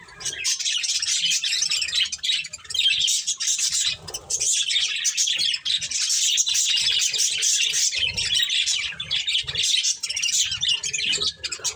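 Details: Several pet budgerigars eating corn give a dense, continuous chatter of high chirps and warbles with barely a pause, the sound rising and falling in a steady busy wash.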